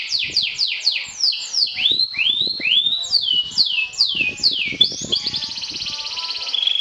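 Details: Atlantic canary, a champion kenari sobek trilling to provoke rivals: a run of loud descending slurred whistles repeated about every third of a second, then a bright sustained buzzy trill at the end.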